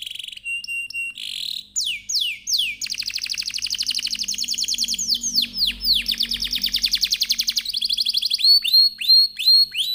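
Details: A long canary song used to set other canaries singing: varied clicks and whistles, then extended fast rolling trills broken by downward swoops, ending in repeated sharp rising notes.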